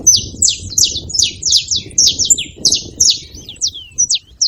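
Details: Saffron finches together produce a lively chatter of high, sliding chirps. Some notes are drawn out and sweep downward toward the end, over a soft low rumble.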